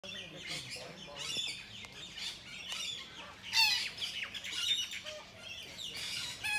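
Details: Sulphur-crested cockatoos in Australia give harsh, grating screeches in overlapping bursts, loudest near the middle and end, with fainter chirps between.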